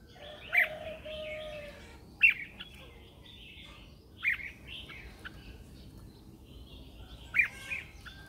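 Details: Morning song of a red-whiskered bulbul lure bird calling wild birds: sharp, emphatic notes every two to three seconds, each followed by short warbled slurs, against a steady noisy background.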